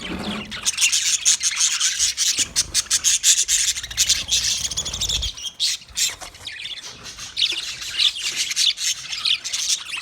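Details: A long stretch of budgie flock noise, dense and raspy with rapid chirps and squawks pulsing continuously, a brief low rumble near five seconds.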